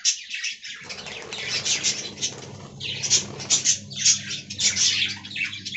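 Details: A budgerigar colony in an aviary gives overlapping scratchy chirps and warbles with sharp whistled notes, plus a low background hum.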